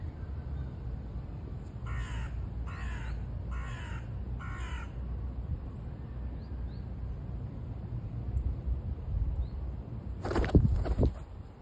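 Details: Carrion crow (Corvus corone) in Hamburg, among pigeons, gives four harsh, hoarse caws in a quick even series over a steady low rumble, with a brief clattering flutter near the end.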